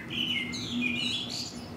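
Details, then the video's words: Common blackbird singing vigorously on the evening of 10 April ahead of a clear night: rich, warbling phrases sliding up and down in mid-to-high pitch, with a man talking quietly underneath. "also this black bird is singing up a storm over there"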